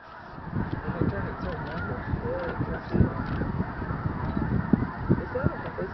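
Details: A large flock of snow geese at Bosque del Apache on 11 November 2011, calling at once in a dense, continuous chorus of nasal, yelping honks overlapping with no pauses.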